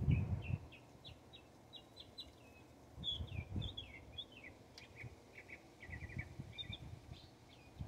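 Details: Northern mockingbird in Texas, said to team up against hawks, singing a long sequence of varied repeated chirps and whistles, with intermittent low rumbling noise underneath.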